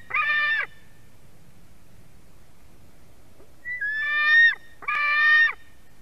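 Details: White-tailed eagle chick's begging screams during a fish delivery at a nest in Durbe, Latvia, 31 August 2020, late afternoon: one harsh scream, a pause of three seconds, then a whistle-led scream and a final rasping one.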